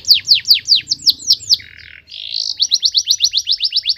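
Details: Canary singing fiercely. Loud falling whistles come about every fifth of a second, then a brief buzzy warble. The song ends in a brisk run of high, sharp repeated notes. A low hum sits faintly behind.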